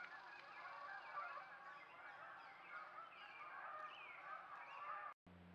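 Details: Canada Geese call from a trail camera site in central Alberta. A dense, overlapping chorus of nasal honks fills the clip without pause, then cuts off abruptly near the end.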